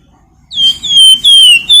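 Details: Flamboyan bird singing as a lure to stimulate other birds; loud, clear high whistles, long level or slowly falling notes repeated in quick succession with sharp onsets.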